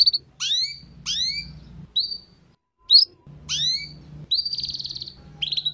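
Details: Tutor recording of canary song for young canaries learning ngeriwik: separate bright phrases of sharply dropping sweeps, short pauses between them, ending in a buzzy rattled note and a final slur, with a faint low hum beneath.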